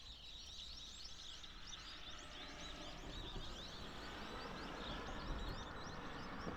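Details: A mixed flock of Bohemian and Japanese waxwings gathers at discarded apples in early April. Many high, thin, buzzy trills overlap and repeat rapidly, growing slightly louder toward the end, over constant low background noise.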